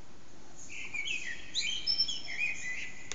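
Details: A common blackbird, unseen, sings early morning song around 4:40am in an echoing backyard, a quiet run of warbled and twittering high notes rising and falling over about two seconds, with a low steady rumble underneath.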